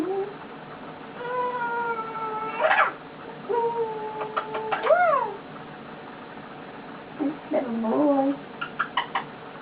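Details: Pet eclectus parrot, male, resting on its owner indoors and vocalizing contentedly: several harmonic whistled notes, one ending in a sharp upward flick, then an arched swoop, a low grating squawk and short dry clicks.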